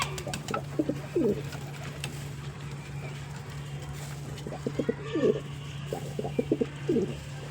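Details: Pigeon giving short bursts of low stuttering pulses that roll into brief coos, in two or three separated bouts against a constant low hum and faint background noise.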